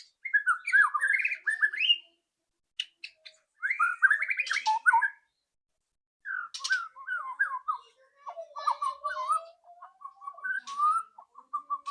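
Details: White-rumped shama giving a loud ketrekan lure song meant to make a shama sing soon: bursts of fast, varied warbling separated by pauses, then a lower, steady, repeated chattering phrase.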